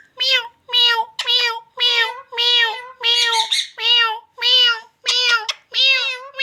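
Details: Indian ringneck parrot talking, giving a steady series of drawn-out, harmonic-rich, speech-like syllables about once a second, slightly wavering in pitch, with one harsher, noisier syllable midway.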